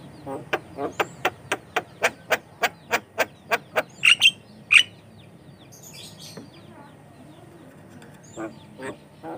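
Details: Javan myna song used to lure and train other mynas: crisp clicking notes repeated about three times a second, then two loud squeaky squawks and sparse soft calls.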